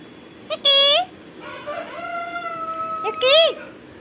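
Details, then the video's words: Talking Indian ringneck parakeet giving a morning greeting in Tamil: a sharp, bright syllable, a long level mimicked word with rich overtones, then a final rising-and-falling squawky word. "Talking parrots videos | tamil talking parrots videos | Indian ringneck parrots"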